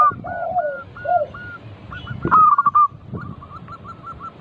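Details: Local zebra dove singing often, used to prompt other doves: lower rolling coos and spaced soft notes, a clipped rapid burst, then a fast even string of short coos, with some background rustling.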